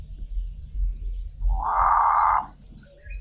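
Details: One of two Cape crows calling from treetops in the dawn chorus in South Africa gives a single harsh, drawn-out croaking caw lasting about a second, over a low rumble of background noise.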